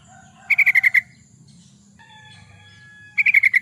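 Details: Yellow-vented bulbul, recorded as a lure for wild birds: two tight bursts of about six rapid, slightly descending chirps, with faint tonal background sounds and a low hum between them.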